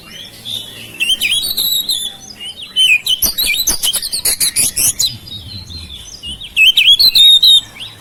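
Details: Oriental magpie-robin kept at home, singing to prompt silent birds. Warbled whistles alternate with a rapid run of sharp, clicking high chips, then a final burst of looping whistled notes.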